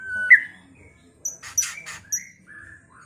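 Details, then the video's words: White-rumped shama song used as a lure to make another shama agitated, fight and sing readily: clear whistled notes around the mid range, a sharp high piping pair, short buzzy bursts, then a falling whistle near the end. "Pancingan MURAI BATU agar cepat EMOSI dengan suara burung ini"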